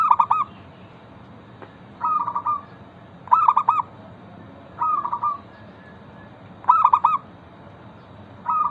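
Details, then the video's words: Local zebra dove singing a lure song to encourage other zebra doves to sing: six cooing phrases at about one-and-a-half-second gaps, alternating soft rippling trills with punchier staccato coo bursts, over low background noise. "Perkutut lokal gacor pancingan ampuh Suara disukai burung perkutut bikin cepat bunyi langsung nyaut"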